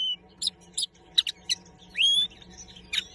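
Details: Common linnet song in sparse fragments: short dry chirps, a rising slurred whistle, then a final twitter, spaced with short silences and a faint background hum.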